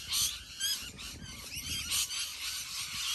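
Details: Rainbow lorikeets calling in a huge Australian flock: continuous shrill screeching and chattering from many birds at once, with louder bursts near the start and around two seconds.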